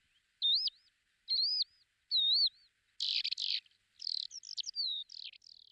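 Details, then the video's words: Lesser short-toed lark recorded at Belchite, Zaragoza province, Spain, in July 2019: three wavering, whistled high notes about a second apart, then a quick run of buzzy, rattling and sliding chirps, with a quiet background. "Terrera marismeña ( Calandrella rufescens ) Lesser Short-toed Lark"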